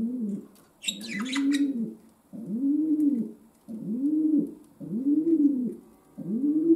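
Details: Pet domestic pigeon cooing indoors, a series of low, rounded coos repeated about every one and a half seconds, with a brief burst of higher chirping near the start and a faint steady hum throughout.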